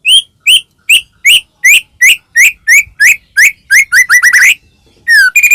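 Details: White-rumped shama song played to goad a caged bird into singing: a rapid series of short, rising whistled notes repeated several times a second, quickening into a run, then a sliding whistle and a brisk trill.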